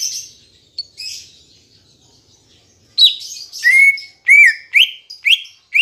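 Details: Green leafbird (cucak ijo) song for coaxing caged birds to sing: soft high twitters at first, then a lively series of loud slurred whistles, some sweeping up, others dropping.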